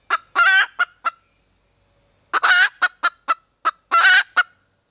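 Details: A red junglefowl hen calls to attract a mate, giving loud raspy cackles: a drawn-out harsh note trailed by short sharp clucks, then a longer run of clipped notes ending in another rasping burst.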